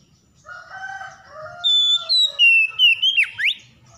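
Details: Oriental magpie-robin, stressed and unwilling to sing, provoked into song: faint lower tones at first, then a loud run of pure whistled notes stepping down in pitch, ending with quick swooping slurs.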